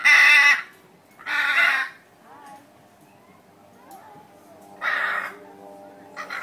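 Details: Blue macaws at Brevard Zoo, Melbourne, Florida, give harsh, raspy squawks in three loud bursts, each about half a second long, with softer chatter and faint background voices between them.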